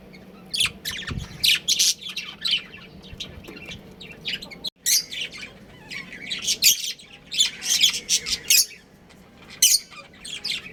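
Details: Breeding pair of pet budgerigars chirping: bursts of harsh, scratchy chatter and squawky notes come in clusters with short pauses, sometimes overlapping, over a faint low room hum.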